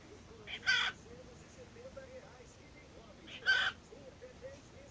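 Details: Pet cockatiel that talks and imitates a WhatsApp sound gives two loud, short, harsh screechy bursts about three seconds apart over steady background hiss and faint low murmuring.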